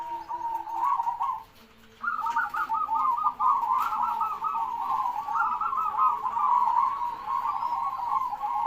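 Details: Loud-voiced zebra dove giving long unbroken runs of rapid, trilling coos, a short phrase then a brief gap before a sustained rolling sequence, over constant background hiss and low hum.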